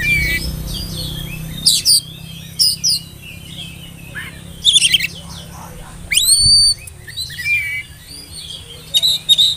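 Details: Spotted juvenile oriental magpie-robin singing, used to spur young birds to sing: separated bursts of twittering chirps and upward-curving whistles every second or two, with steady low background hum.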